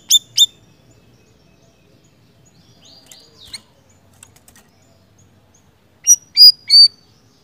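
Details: Siri-siri bird calling actively, giving two sharp high chirps at the start and three louder high, slightly rising chirps near the end, with long quiet gaps between.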